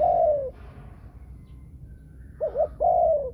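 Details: Thai-line female spotted dove in the 'thunder voice' (thổ sấm) style with two ending notes. A long, falling coo, a pause, then two quick short notes leading into another drawn-out, slowly descending coo.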